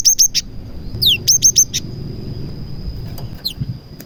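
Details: A cinereous tit sings prenjak (prinia) imitations, a lure meant to prompt other cinereous tits to sing. A fast run of clipped high notes, then one sharp descending sweep, leads into a quieter pause with a constant whine.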